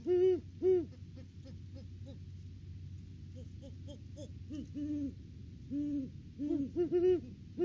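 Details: Off-season duet of a Great horned owl pair visiting their nest tree in December: deep hoots in overlapping bursts, strong at the start and end, with softer distant hoots scattered between.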